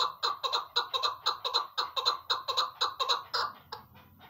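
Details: Female chukar partridge calling in a fast run of harsh, chattering chuck notes, about four per second for three seconds, then tailing off; slight room echo.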